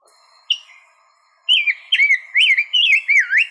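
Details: Rose-breasted Grosbeak, a forest bird heard high in the canopy in May and June after migrating back. A short metallic note precedes a sweet, robin-like warbled phrase of rising and falling whistled notes, clear and loud against a quiet background.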